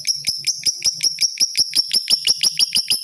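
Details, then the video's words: Lovebird, tame yet fierce, in 'ngekek' chatter: a fast, steady run of sharp high chirps, about five every second, each with a ringing whistled tone, continuing throughout over a faint low hum. "Love Bird jinak tapi galak, ngekek konslet"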